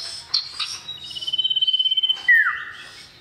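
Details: Male common iora calling to a female: a couple of sharp chirps, then a quick regular trill on a steady high note closing with a loud, sharply descending whistle.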